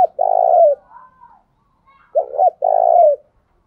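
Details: Decoy spotted dove calling in the morning to provoke wild males: two long, throaty, buzzy coos falling at their ends, with softer double coos and faint quiet cooing between them.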